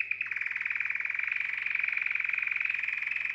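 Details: Canary song meant to excite females for mating: one brief higher note, then a fast, even rolling trill of rapid pulses held at a steady pitch throughout, with a faint low electrical hum beneath.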